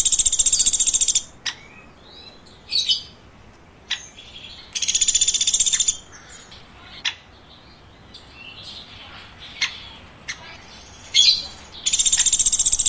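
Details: Repeated chirping of a woodpecker: several short, shrill pulsed trills of one to one and a half seconds, with scattered clicks and squeaky notes between them.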